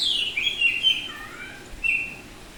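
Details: Oriental magpie-robin of the Bali variety, semi-tame, singing ngeplong style: a high descending whistle flowing into warbled notes, then a short clear whistle after a brief gap.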